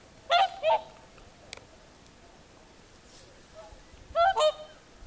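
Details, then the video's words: Evening whooper swan calls at sunset by Lake Saimaa, Finland: two loud bugling honks at the start, a faint distant call midway, then another close pair of trumpeting notes near the end. "Swans singing at sunset"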